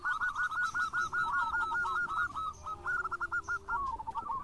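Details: Local zebra dove in full voice, used as a lure: a rapid run of soft cooing notes, a brief break, then another quick series, heard faintly against steady background hiss.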